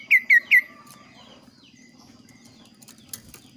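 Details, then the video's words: Kaso kaso, an agile bird with a clear, varied and lively voice. Three loud, sharp notes drop slightly in pitch, opening the recording in quick succession. Only faint twittering and a low background hum follow. "suara variasi burung kaso kaso gacor"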